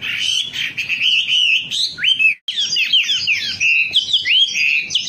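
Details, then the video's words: Loud, dense wambi song from a lure recording: rapid, swooping whistled phrases packed closely together, with one abrupt brief silence midway. "Suara pancingan burung wambi agar cepat gacor"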